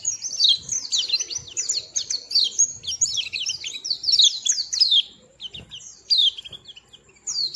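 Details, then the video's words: Tiny white-eye delivering a sweet song: dense, high-pitched twittering of quick sliding chirps in long runs, fading into quieter, scattered notes toward the end, with a faint low rumble beneath. "Tingkah Lucu Burung Kecil Pleci Bersuara Merdu"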